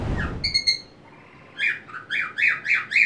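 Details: Whiteface cockatiel singing happily while swinging on a homemade swing inside a small crate, wings open: a few short harmonic chirps, then a run of loud rising-falling whistled squawks repeated about every quarter second, indoors.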